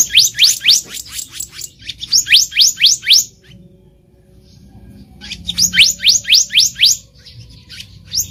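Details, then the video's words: In the wild, a black-naped monarch gives clear rising whistled notes in two runs of about six to eight each, quickly repeated, with a hushed pause between. Recorded as bait sound for bird trapping. "SUARA ASLI BURUNG KEHICAP RANTING DI ALAM LIAR EDISI KHUSUS PIKAT"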